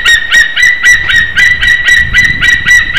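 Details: In Slītere, Latvia, a white-tailed eagle screams repeatedly at the nest during mating, 26 February 2021, morning; loud, harsh, honking yelps in a rapid, regular stream, with some low rumbling noise underneath.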